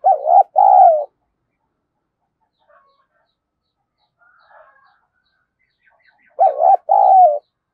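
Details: Cooing call of a spotted dove, used to lure wild doves: a short double coo phrase at the start, a long silence with faint distant notes, then the same hollow coo phrase repeated.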